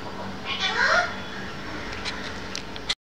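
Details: A 22-year-old Alexandrine parakeet says "hello" from its indoor gallery cage around 13:15 on 30 January 2014. It was recorded from the next room. One drawn-out, human-toned "hello" dips, then rises, and is followed by faint clicks.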